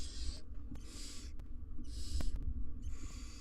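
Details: Barn owl family, two parents with three nestlings, in a nest box on a live camera: four loud breathy hisses, each about half a second, coming in quick succession above a low rumble.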